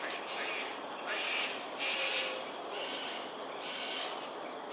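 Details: Flying cockatoos in an aerial display over Sungei Ulu Pandan, Singapore, early morning of 13 January 2022. A quick run of grating, noisy screams of about half a second each sounds against a constant background hiss.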